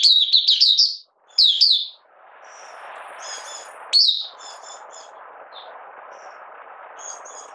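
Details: Malaysian oriental white-eye, a kept bird in minor moult and not in form, giving its opening song on 31 July 2023: quick bright chirping bursts, high and twittering, in short clusters with pauses, over a steady hiss.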